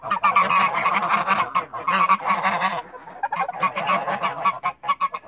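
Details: Several Toulouse geese calling together in a backyard, harsh nasal honks repeated in quick runs, a short lull near the middle before the chorus resumes.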